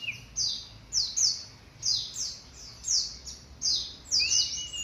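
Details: Three-month-old white-eye starting to sing, giving short bursts of high, sharply falling chirps roughly every second, with a brief thin rising whistle near the end. Low background hum.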